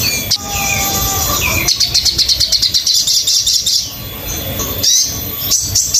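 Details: Sogon master recording for birds learning song: a sustained high note, then a rapid pulsing rattle of high chirps, followed by scattered sharp notes and a short closing trill.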